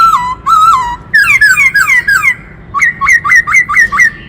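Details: Many-voiced singing from a black-throated laughingthrush: two clear flat whistles, a cluster of bright descending slurs, a short pause, then a rapid series of six rising whistled notes.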